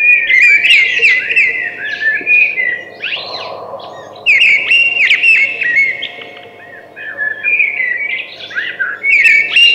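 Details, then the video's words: A singing thrush delivers almost continuous phrases of bright whistles, rapid chirps and clicking notes, pausing briefly around the middle, with low hum underneath. "Beautiful Thrush Singing"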